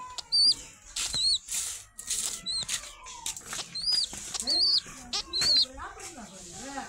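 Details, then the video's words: Pigeon squabs giving thin, high squeaky peeps that rise then dip slightly, repeated irregularly about once a second, with loud human voices talking throughout and some wing flapping. "অনেক সুন্দর কবুতর বাচ্চা"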